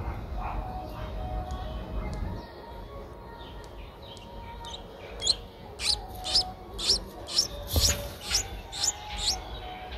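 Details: Streak-eared Bulbul nestlings, eight days old, Ubon Ratchathani, Thailand, April 2023: quiet at first with a few faint ticks, then a run of loud, high, sharp chirps about twice per second in the second half, over low rumble.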